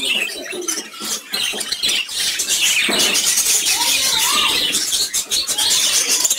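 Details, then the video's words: Colourful lovebirds chirping together in a group: dense, rapid high-pitched chirps and twitters overlapping continuously, with a few short lower squeaky notes mid-way and steady background clatter. "Beautiful Colored Lovebirds Chirping Together"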